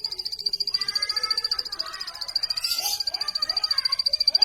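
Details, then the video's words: A plain prinia's song: a fast, even string of high, thin ticking notes, about ten a second, with softer lower chirps in the background. "plain prinia bird chirping"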